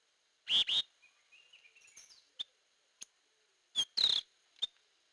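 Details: Hair-crested drongo, used as a lure call: loud harsh buzzy double notes, then soft twittering and a few sharp clicks, ending with another pair of loud rasping notes and a short chip.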